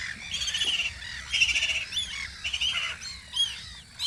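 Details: Spring gull chorus from the guarding post on Audru polder: loud, harmonically rich squawks and rising squeals, many calls packed together in quick bursts, several birds overlapping.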